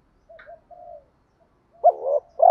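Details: Brief spotted dove lure cooing: faint soft opening notes, then a louder wavering two-part coo, with the next coo cut off at the end.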